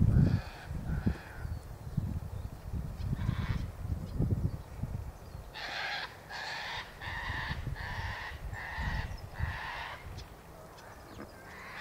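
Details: A few Double-barred finches (Taeniopygia bichenovii) in bare branches in late-winter sunshine give nasal, drawn-out calls, a few scattered at first, then a run of about six every half-second, over a low rumbling background.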